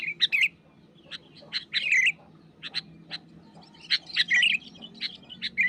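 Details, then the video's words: Wild sooty-headed bulbul pressing a rival, sharp chirps and short warbled phrases in irregular bursts separated by brief pauses. "SUARA GACOR BURUNG KUTILANG MENEKAN LAWAN"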